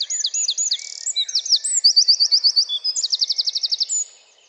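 A Eurasian wren pours out a loud, high, rapid song of ringing notes and fast trills, changing phrases quickly over about four seconds.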